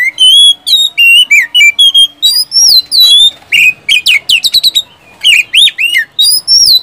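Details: Oriental magpie-robin (kacer) in loud, full-voiced gacor ngeplong song with whistles and tembakan bursts, used to lure sluggish birds into singing. Bright, clear whistled notes and sharp rising and falling phrases come in rapid, varied bursts with brief pauses.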